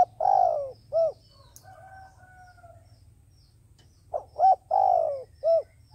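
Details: A decoy dove kept for trapping gives a long, drooping coo, then a short note. After a pause of about three seconds, a quick run of clipped notes leads into another long, falling coo and a final short note; soft background hum.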